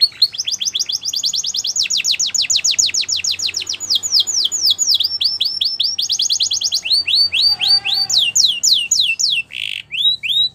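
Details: Sustained Belgian canary song, long stretches of rapid, regular high trills of falling notes switching tempo and pitch, with a brief lower warble near the end.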